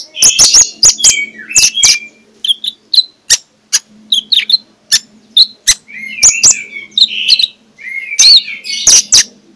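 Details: Magpie-robin morning song meant to make other magpie-robins sing: scattered sharp clicks with short whistled and warbled phrases, plus a faint low hum.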